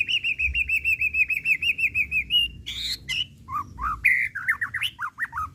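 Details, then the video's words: Caged white-rumped shama, a contest songbird, giving a steady rapid trill on one pitch for over two seconds, then buzzy notes and a string of quick falling whistles. "Suara Asli Tanpa Repeat! Pancingan Murai Pastol Emosi & Bongkar Isian"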